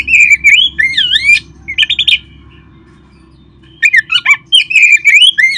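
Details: Oriental magpie-robin song meant to set caged birds singing: swooping whistled notes and rapid chatter, a quiet gap, then more loud sweeping and warbled phrases.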